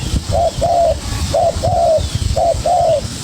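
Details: Young spotted dove calling against a decoy bird: three neat couplets of coos, each a short hoot then a longer gently falling note, about one couplet per second, low background rumble.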